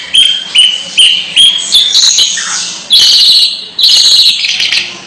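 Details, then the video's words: Long-tailed shrike with strange calls: a series of short, clipped chirps repeated about every half second, then loud harsh grating squawks. "Suara Aneh Burung Cendet"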